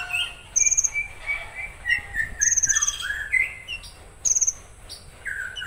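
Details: Konin singing rough-shot phrases, high rattling trills recurring every couple of seconds over a rambling mix of slurred whistles and chattering notes.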